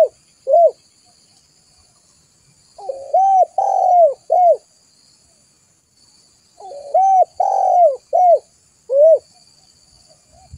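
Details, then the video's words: Spotted dove calling to lure other doves: two matching phrases about four seconds apart, each a short coo, a pair of looping coos, a long drawn note and a final coo, in otherwise quiet surroundings. "Suara pikat burung tekukur"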